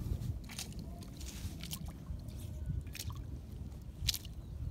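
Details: Sloshing, squelching steps and dripping water on a tidal mudflat, with low rumble and no animal calls.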